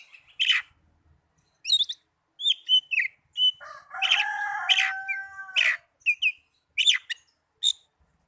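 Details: Oriental magpie-robin song played as a lure to get lazy caged birds singing and to tutor them; sharp chirps and whistled notes, then a burst of dense buzzy, harmonic phrases mid-clip, followed by more short upslurred chirps.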